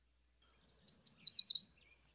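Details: Yellow Warbler, a bird of willow wetlands, singing a quick, bright series of about eight high, sweet notes that speeds up and ends in a sharp downslurred flourish, rendered 'sweet sweet so sweet'; a spring song.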